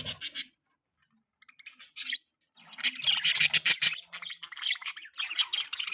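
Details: Budgerigar chirping: scattered short chirps give way to a dense run of rapid, scratchy warbled chatter, then trailing clipped chirps.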